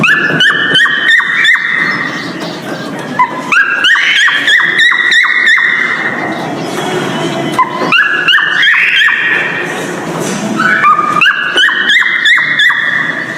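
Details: Male cockatiel whistling in breeding season as a mating call: repeated phrases of sharp clicks leading into rising, stepped whistles, with a pause between bursts roughly every three seconds and faint background rustle.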